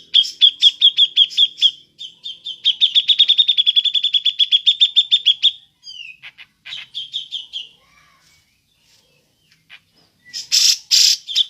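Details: Grey-cheeked bulbul (cucak jenggot) in ngepik mode, suited for luring birds: long rapid trains of piercing high pik notes, a brief pause with softer chips, then loud harsh chattering bursts at the end.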